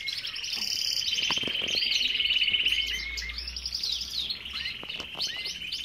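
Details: Steady, loud song of a Belgian canary in an aviary: a long continuous rolling trill for about three seconds, then further trilled phrases, with several other birds chirping in the background.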